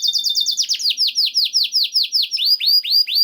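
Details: Song of a canary, played so canaries start singing: a fast high trill gives way to a slower, even series of clear descending whistles, roughly three per second.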